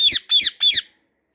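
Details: Three short harsh screeches from a white ringneck parrot in a garden, quick and evenly spaced, each a rasping squawk falling in pitch, then silence.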